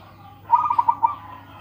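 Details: A local zebra dove (perkutut) with a powerful voice gives a single rapid run of soft, rounded coos, five or six notes slightly slowing at the end, with a faint steady hum.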